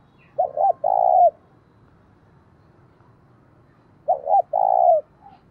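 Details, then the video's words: Decoy spotted dove giving its provoking call to urge rivals to fight: two low phrases nearly four seconds apart, each a pair of short notes leading into a long steady coo, with faint low background hum. "Chim Cu Mồi - cu gay kich boi nhanh noi gù hieu quả, cu gáy thúc đấu"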